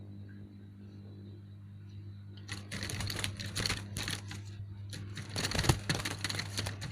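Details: Indoor room with a steady low hum, then from about two and a half seconds a rapid clattering, tapping noise like a typewriter or sewing machine; no animal voice is heard.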